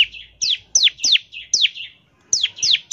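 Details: Bar-winged prinia song played to coax other prinias into singing: loud, steeply falling whistled notes in rapid pairs, each trailed by a softer chirp, with a short gap before the series resumes.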